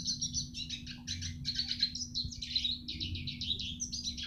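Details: Eurasian siskin in full song, used to train other birds. Rapid, rhythmic high chirps run in an almost continuous twittering chain, with a faint steady hum below.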